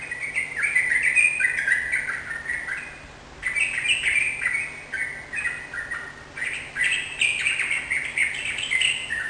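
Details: Yellow-vented bulbul singing strongly in repeated bursts of rich, bubbling, warbled phrases, each lasting a few seconds with brief pauses between, over a faint constant hum.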